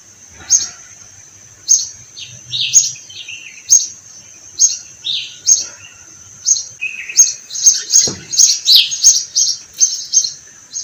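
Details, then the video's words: Sparrows chirping in spring among flowering orange trees on a farm garden; bright, high chirps repeated in loose bursts, some slurred downward notes, becoming denser toward the end, with a brief low thump. "The sound of sparrows🐦🐦 and the flowering of orange trees in spring."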